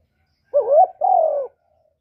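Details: A single Spotted dove coo phrase, recorded live to stimulate captive doves. A wavering, upward-curving hoot runs straight into a longer flat, slightly falling note. Nothing else audible.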